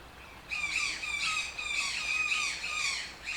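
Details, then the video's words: A brief quiet opening gives way to a toucan's run of grating, nasal squawks, delivered quickly and closely spaced, each with a slight downward slur. "TOUCAN SOUNDS - Toucan Sound Effect"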